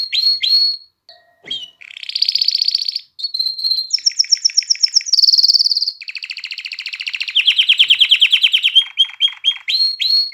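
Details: Lively canary song meant to excite hens to breed and prompt young birds to sing: varied sequence of sustained trills, buzzy rolls and clear whistles, shifting pitch between phrases with short gaps.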